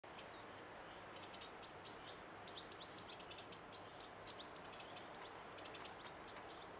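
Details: Eurasian wren (Troglodytes troglodytes), song.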